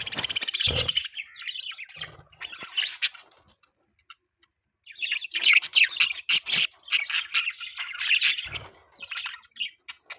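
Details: Steady budgie chatter: high, buzzy chirps and warbled notes pouring out in long bursts around a short quiet pause.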